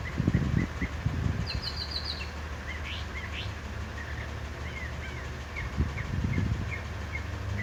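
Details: Northern mockingbird singing in a pear tree in Salinas, California: faint, varied chirps and short slurred notes, with one brief, rapid high trill early on, over a steady low rumble of background noise.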